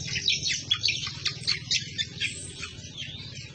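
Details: Cucak kombo, the greater green leafbird, in loud 'ngomel' chattering song used to train other birds: fast bursts of sharp, high, tumbling chirps and whistles in quick succession, with a faint low hum beneath.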